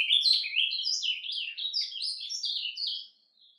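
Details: Quiet song of a captive ultramarine grosbeak, played to warm up birds: a softer stream of high wavering, down-slurred warbles about three seconds long, fading abruptly into silence near the end.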